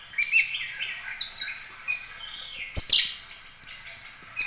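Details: Oriental magpie-robin in 'full roll tembak' song for training other songbirds: thin, high, varied whistles and chips in irregular bursts, with a sharp click near the middle.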